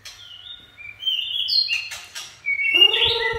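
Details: White-rumped shama song in chạy cầu style, with a run of varied clear whistled notes jumping between pitches and soft clicks, ending in a louder, richer nasal note with strong overtones.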